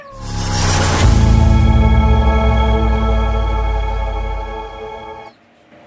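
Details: A loud, sustained organ-like drone with steady harmonic tones and a low rumble, fading to near silence at the end; no animal voice is heard.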